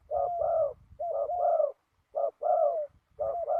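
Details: Spotted dove at a ground decoy trap on a windy day, calling a short coo then a longer, gently falling coo, the pair repeated three times with low rumbling noise between.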